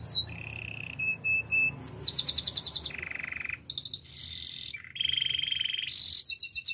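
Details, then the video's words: Canary singing for training: alternating sustained rolling tours and rapid pulsed trills at several pitches, with brief swept notes, a clear varied song. "Active canary singing makes your canary sound"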